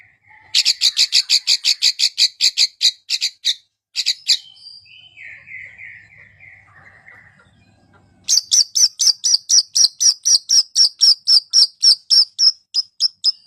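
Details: Long-tailed shrike song played to coax a reluctant bird to sing: fast series of harsh chattering notes about four per second, a soft warbling interlude, then another long rapid chatter run.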